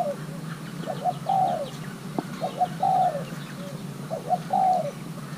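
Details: Spotted dove of Thai hybrid stock, young male being paired, repeats a three-part phrase three times: two quick low notes, then a longer wavering coo sliding downward, with a sharp click near the middle.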